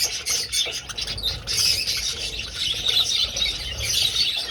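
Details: Budgerigars in an old aviary, flying about: dense, continuous chatter of overlapping high chirps, squawks and warbles from many birds, with no pause across the whole stretch.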